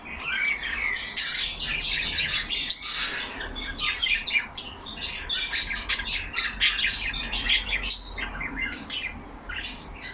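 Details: Yellow pet budgerigars kept in a cage chatter together in a lively flock, pouring out overlapping squawks, trills and sharp chirps nonstop for ten seconds, loud and busy throughout.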